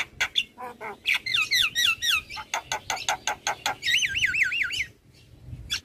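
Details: Champion Javan myna singing for a master recording meant to make other birds join in: loud clicks, then a series of looping wavy whistles, a rippling warbled trill, and a final sharp click after a short pause.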